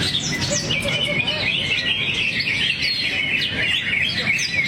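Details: Greater green leafbird in a relaxed 'teler' posture releasing its repertoire. Its clear whistled phrases rise and fall, with quick slurred notes and twittering mixed in over a murmuring background.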